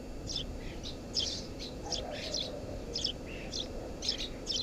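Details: Nesting Eurasian tree sparrow under a house roof: dense run of loud, high chirps and short twittering notes in quick clusters, with low humming in the background.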